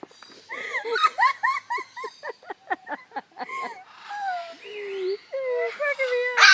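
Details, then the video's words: Umbrella cockatoo kept at Parrot Mountain, Pigeon Forge, Tennessee, copying visitors' laughter with a fast run of clipped ha-ha notes, about four per second, followed by longer wavering nasal tones and a loud harsh ending. "Laughing Bird"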